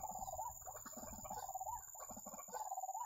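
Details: White-breasted waterhen, locally called ruak-ruak, wak-wak or kreo padi, at a bird trap: a continuous run of mid-pitched, slightly rising croaking notes strung closely together, with a steady high electronic whine behind.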